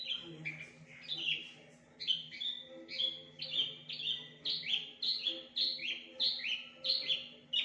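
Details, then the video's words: Javan bush lark, a caged bird kept as a master for training other larks, singing a varied song mimicking other birds: loud high chirped notes repeated about every half second, with a low steady hum underneath. "BRANJANGAN UNIK Suara aneh pariatif volume dahsyat"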